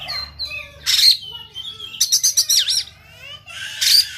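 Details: White-rumped shama, Sumatran type, singing while fighting with tail spread; loud harsh bursts mixed with clear rising and falling whistles, a rapid rattling series of notes near the middle, and a final harsh burst.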